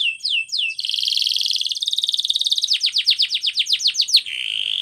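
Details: Canary song for training in Spanish Timbrado style: a few swooping whistles, a long fast buzzy roll, then a series of sharp falling notes and a closing low trill.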